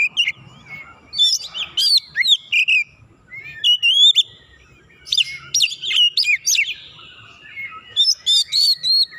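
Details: Provoked rival White-rumped shama pouring out agitated song: clusters of rich whistles, downward slurs and clicking notes in bursts of two to three seconds separated by short pauses.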